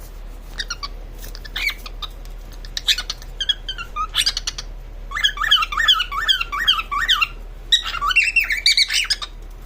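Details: Female pet cockatiel (Nymphicus hollandicus) giving its mating call: rapid, chirpy whistled calls in a courtship display.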